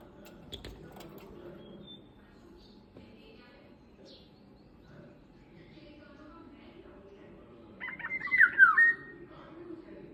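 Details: Indian golden oriole heard near the end after a long quiet stretch with low murmuring background, one short burst of liquid notes and a falling slurred whistle.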